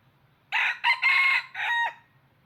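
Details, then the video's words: Crowing of a decoy red junglefowl used to trap wild birds: a single rasping crow broken into four parts, with a quick hiccup near the start, a drawn-out centre and a falling tail, with a steady low hum behind. "Tiếng Gà Rừng Mồi Gáy Cực Hay"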